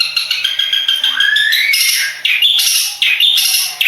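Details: Long-tailed shrike of the Madura type, a contest bird, singing loudly with harsh buzzy notes, a long rising whistled slur, then bright chattering bursts repeated several times.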